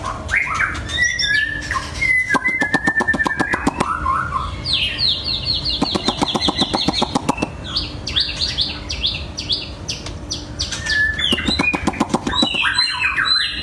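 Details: Long-tailed white-rumped shama singing a varied, rapid medley of whistles, high chirps and buzzy rattling trills, with bursts of fast clicking notes and a steady low hum behind.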